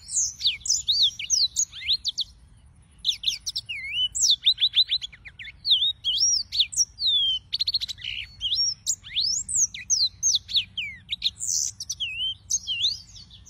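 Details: Yellow-fronted canary song: a continuous run of bright, high twittering phrases with quick rising and falling whistles, trills and buzzy notes, almost without pause, over a faint low hum.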